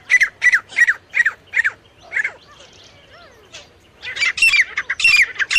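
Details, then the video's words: Calls of a male and female partridge (teetar): a series of five evenly spaced, harsh, descending notes, a brief lull with soft sounds, then a denser burst of grating squawks. "नर और मादा तीतर साउंड। Male teetar and female teetar voice."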